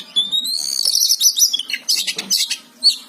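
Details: Oriental magpie-robin, described as a lively singer, with a long high whistled note running into rapid twittering, then scratchy bursts and a final short whistle; a faint low hum sits underneath.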